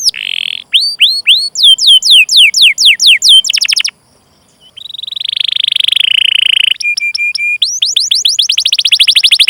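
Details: : Canary singing a long 'cuit cuit' song with rolls, played to draw song from young, untrained or silent canaries. Falling whistled sweeps repeat rapidly, a brief pause, then a sustained high rolled trill and quick clipped notes build into dense trilling.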